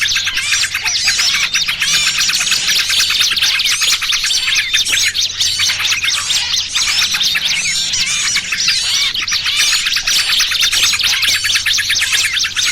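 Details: Loud lure chorus for trapping small birds, trucukan chatter mixed with 'pinched' small-bird cries: a long, continuous wall of high chirps, squeaks and rising whistles, many birds overlapping.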